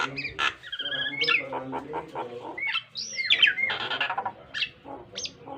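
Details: Varied song of a Nias hill myna, offered as a model for pet birds to copy: gliding whistles, sweeping upward slurs, harsh chatter and low nasal tones overlapping densely.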